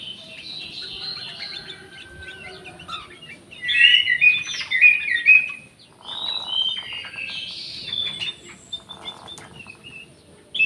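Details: Aviary-kept orange-headed thrush song, played to coax quiet birds into singing: rich fluting phrases with rising and falling whistles clustered between 4 and 5.5 s, then softer scattered notes, over low background hum.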